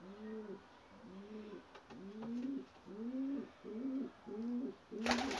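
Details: Young white Ges domestic pigeons from a Gök Alaca Ges parent, a cross of Bağdat with flight or post pigeons. Seven quick arched, whining calls come in steady succession, about one and a half per second, ending with a sharp burst of noise.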